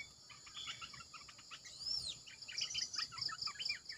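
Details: Red-eyed bulbul decoy sound with scattered quick chirpy notes and one long sweeping whistle that arcs up and down. Evenly spaced high pulsed notes repeat toward the end over constant insect buzzing.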